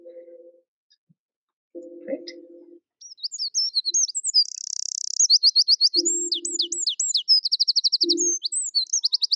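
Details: Eurasian wren (Troglodytes troglodytes) song recorded from quite far away: fast, high, sharp, angry-sounding notes with no repeated phrases and the key buzzy trill in the middle, interrupted by a man's low voice.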